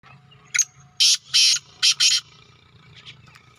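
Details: Black francolin (kala teetar) calling in the evening in a village: a short harsh note, then two longer rasping grating notes and two quick ones, all within about a second and a half, over a faint low hum.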